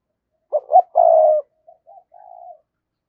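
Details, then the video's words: Decoy spotted dove's 'gáy gọi' lure call, recorded in 2022. Two short coos and a long, strong, rolling coo, followed by several faint, soft coos that fade out. "tiếng cu gáy - Chim Cu Mồi Thúc Và Gáy Gọi"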